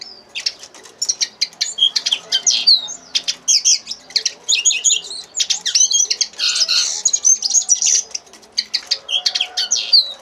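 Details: Rapid twittering phrases from a common linnet, bright high notes interspersed with nasal, buzzy elements, swelling into a loud, dense run of warbled notes midway before easing into scattered chirps.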